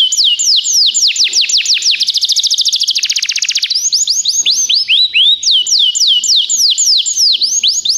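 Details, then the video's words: Belgian canary tutor singing vigorously: rapid descending whistled sweeps repeated several times a second, a dense fast trill, then more series of curved rising-falling whistles, loud and unbroken throughout. "professor Canário belga cantando muito - best singing"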